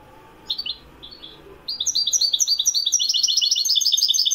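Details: European goldfinch (Carduelis carduelis) in Morocco, recorded in 2021, sings a fast, bright stream of tinkling, liquid twitters and buzzy notes, opening with a few short chirps before a rapid run of high notes.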